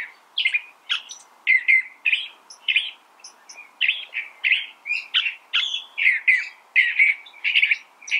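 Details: Continuous song of a California thrasher, a fast, jumbled sequence of scratchy and whistled phrases, some doubled, delivered almost without pause for eight seconds against near silence.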